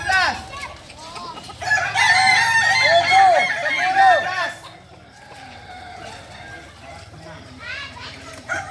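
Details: Kukuak Balenggek chickens, a singing breed native to Solok, during crowing performance training; a long crow of stacked arched syllables overlaps with other birds, then quieter scattered crowing follows.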